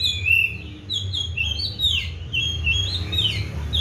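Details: Caged Oriental magpie-robin fed seven crickets and bathed morning and afternoon, giving a brisk run of clear whistles, downward slurs and high sharp notes in near-continuous song, with a low hum underneath.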